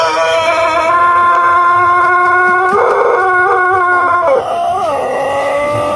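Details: Indonesian Pelung chicken, a Cianjur ornamental breed known for a long, rhythmic crow, holding one steady harmonic note for several seconds, then wobbling and dipping in pitch with short rises near the end.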